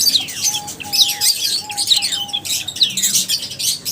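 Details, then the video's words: Lovebirds give repeated sharp downward-sweeping squeaks, roughly one per second, over continuous high twittering and a soft level whistle. "Love birds Singing sounds | Chirping Sounds | 30 mins lovebirds sounds | lovebirds meeting sounds"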